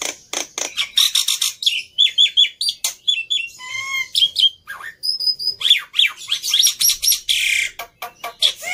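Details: Black-winged myna singing vigorously as a lure to coax other birds into song: a dense, varied stream of harsh squawks, repeated whistled notes, nasal rising and falling tones and scratchy chatter, almost continuous throughout.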